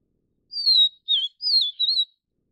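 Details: Taiwanese vivid niltava, subspecies vivida, sings a single sweet whistled phrase: a long gliding falling note, a short dipping note, then two warbling notes, with silence around it.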